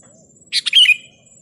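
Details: Sooty-headed bulbul song meant to provoke rivals into singing: one brief burst of throaty chattering notes ending in a clear falling whistle, over a quiet background.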